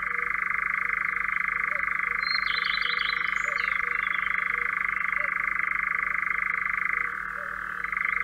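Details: Long unbroken churr of a European Nightjar in Central Russia, machine-like and steady, dipping lower briefly near the end. Distant small birds twitter faintly.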